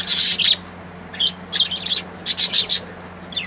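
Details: Beautiful colourful birds singing in quick bursts of shrill, scratchy twitters, several clustered chirps following one another every half second or so, with a constant low electrical-sounding hum beneath.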